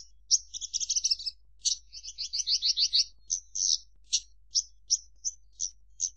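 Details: Javan bush lark, the branjangan, pouring out dense buzzy trills and rolling repeated notes, then a series of sharp high chips spaced about a third of a second apart toward the end.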